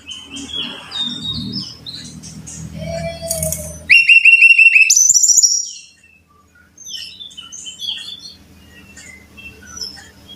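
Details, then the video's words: Brown-chested jungle flycatcher song played to caged birds as a singing model: faint high twitters over a low background hum, then a loud two-second run of clear repeated downslurred whistles, followed by softer scattered notes. "Pancingan Masteran Suara Burung (SIKATAN RIMBA DADA COKLAT)"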